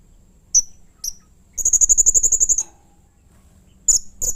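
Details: Agitated Blue-crowned hanging parrot, calling in a way said to rouse others of its kind: two short thin notes, then a one-second rattle of rapid, piercing high ticks, and two more sharp notes at the end.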